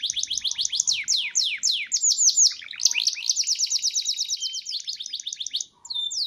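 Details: Kept canary from Petarukan, Pemalang, Central Java, singing a long continuous song of fast, high trills and rolling repeated notes, shifting between rapid sweeps and steadier chattering runs, with a brief pause near the end.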